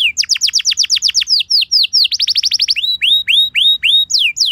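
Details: Canary singing a training song: a rapid rolling trill of falling whistles, then slower evenly spaced slurred notes about three per second, bright and high throughout.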